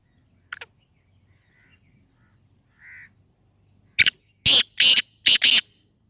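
A Black Francolin gives a loud, harsh, grating phrase of about five rasping notes in quick succession, preceded by a faint click and a soft whistle.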